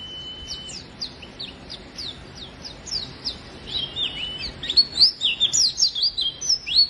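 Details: Oriental white-eye in full song, meant to coax reluctant white-eyes into singing: a long thin whistle, then quick high downslurred notes building into a dense, loud, chattering twitter.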